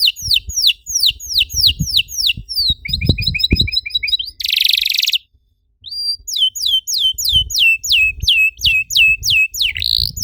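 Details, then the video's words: Canary song used to get other canaries singing: repeated downslurred whistles, a buzzy chattering trill, a harsh noisy burst, a short silence, then regular descending whistles about three a second, with some low background noise. "PANCINGAN EFEKTIF BURUNG KENARI, CORR DORRR!!"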